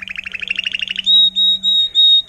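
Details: A tutored agate topaz intensive yellow Timbrado canary from 2018 gives a quick bubbling trill, then four loud, clear, pure whistled notes in even succession; a faint low hum lies behind.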